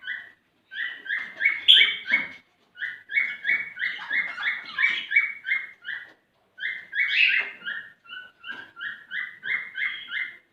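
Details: Male cockatiel in courtship song to encourage a female to mate, long series of quick repeated whistles in bursts separated by short pauses, with occasional harsher higher notes.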